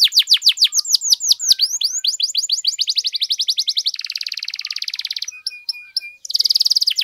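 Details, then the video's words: Canary master song for training: descending sweeps accelerate into a dense buzzing trill, followed by soft steady whistles and a final loud rattling roll. "KENARI GACOR DURASI PANJANG BUAT MASTERAN DAN PANCINGAN KENARI"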